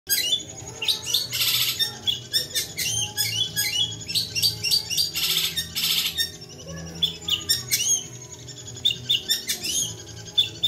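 A Long-tailed Shrike sings a fast, scratchy run of harsh bursts, chatters and thin high whistles, with almost no pause, over a faint low hum.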